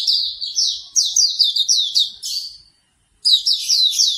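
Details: Morning therapy song of Hume's white-eye: a twittering burst of quick high notes, each dropping in pitch, a half-second hush, then another energetic chatter.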